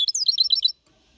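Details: Short burst from a goldfinch hybrid of 4.5 months, Malaga-copy song for motivating other birds: under a second of rapid, bright, swooping high twitters.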